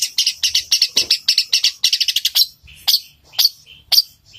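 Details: Long-tailed shrike singing in a fast roll imitating fighting sparrows: rapid bursts of harsh, high chattering notes, then sparser sharp squawks spaced about half a second apart, with a faint quiet voice in the background.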